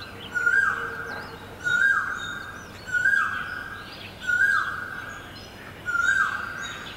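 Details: Great barbet in Guangzhou, recorded April 2022: a loud wailing note repeated five times at roughly 1.3-second intervals, each note level then sliding down, with thin whistles of other birds above and a steady low hum.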